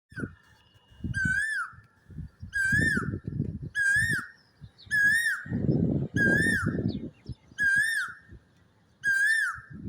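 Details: An Asian koel hidden in a tree thicket on a calm morning, heard from a rooftop, gives a clear whistled note with a rising end, repeated about every second and a half, over bursts of low rumbling noise.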